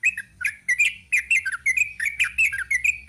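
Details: Continuous fast chatter from a sooty-headed bulbul in the long rapid 'ropel' style, with short bright slurred notes tumbling one after another without a break.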